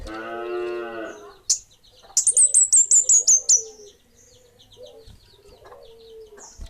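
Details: Kemade bunga api song: a fast series of about eight high, sharp descending notes in quick succession, following a harsh nasal buzzy sound, then softer scattered chips and a low whistle.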